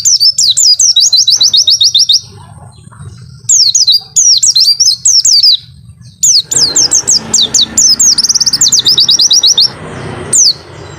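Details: Mountain white-eye giving a long 'wit-witttt' song of rapid, high, sliding chirps in long unbroken runs with brief gaps, against a quiet low background murmur.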